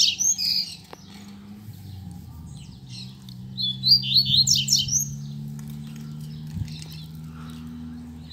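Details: Male double-collared seedeater (coleiro), a kept bird, singing just after his female arrived: brief bursts of high twittering and slurred notes near the start and midway, with a steady low hum throughout.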